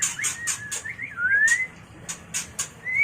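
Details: White-rumped shama mating song used for training and luring birds: short looping whistles and a long rising whistle set between sharp high clicks, ending in another rising whistle.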